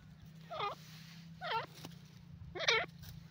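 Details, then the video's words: Grey francolin, called gora teetar, giving three loud, harsh, wavering notes about one second apart, each rising then falling, over a steady low hum. "the best teetar ki awaaz gora teeter k sounds"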